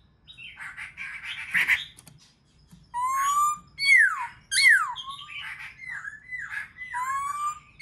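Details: Black-throated laughingthrush singing to stimulate other birds: a harsh rasping burst first, then clear rising whistles, two steeply falling notes and softer wavering phrases.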